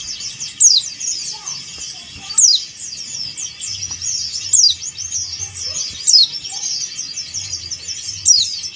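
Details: A male dakun Bali Oriental white-eye calls toward a rival with five shrill, falling sweeps at irregular gaps of about one and a half to two seconds, set against continuous thin, high twittering.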